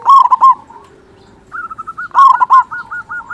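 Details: Steady-singing local zebra dove with a big voice, meant as a lure: a throaty two-burst coo, a pause, then a soft rising note series and another coo ending in quick beaded repeated notes.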